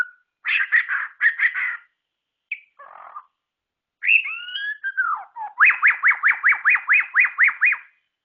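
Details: White-rumped Shama (murai batu) singing: a burst of rapid harsh chatter and a soft grating note, then sweeping whistles, ending in a fast run of about a dozen identical sharp up-down whistled notes.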